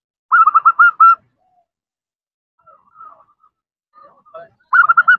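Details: Female zebra dove calling for a male: a short, fast burst of rolling coo notes, near silence with a few faint notes, then another quick burst at the end.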